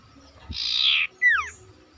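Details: Energetic sooty-headed bulbul, used as a lure for silent bulbuls: a scratchy buzzing burst lasting about half a second, then a brisk falling whistle with a fainter parallel slur above, with soft low hum behind.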